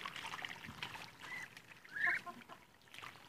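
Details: Day 52 with a group of Muscovy ducks: soft background chirping, then one loud, clear whistled peep about two seconds in, over low background noise.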